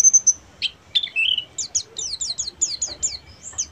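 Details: A Buxtomi Oriental white-eye in ngeriwik song begins with a level high whistle and a lower slurred note, then a quick series of repeated downslurred high chirps.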